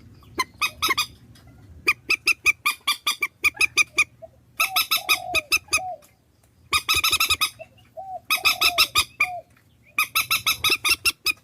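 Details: Swamphen calls assembled as a lure recording: bursts of harsh, nasal, honking notes repeated rapidly in runs of about a second, with short gaps between runs and occasional lower, softer clucks mixed in.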